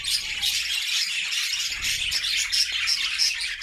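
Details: Budgerigars singing together as a happy flock in their new homemade cage, with lively overlapping chirps, squeaky warbles and sharp whistled accents packed densely over a few seconds.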